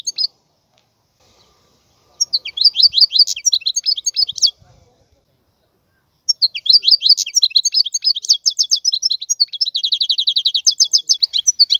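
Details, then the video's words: A wild European goldfinch sings in quick liquid twitters, three phrases after short silences, the last ending in a fast trilled run of repeated notes; faint low thumps in the background. "اسمع بأذنيك تغريد هذا الحسون البري. افضل غناء خلوي"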